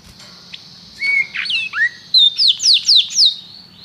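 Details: Canary singing after a quiet start: a short whistled note, then a run of clear downslurred whistles repeated about four times a second, ending in a steady high tone.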